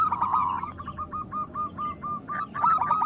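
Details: Local zebra dove song meant to stimulate breeding desire in other doves; a steady rattle of short, rapid mid-pitched coos grouped into phrases, a brighter trilled burst opening and closing the run.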